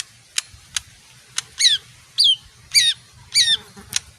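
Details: Small leafbird song: a few thin clicks, then four high, buzzy, down-slurred whistled phrases, roughly half a second apart, over a faint low hum.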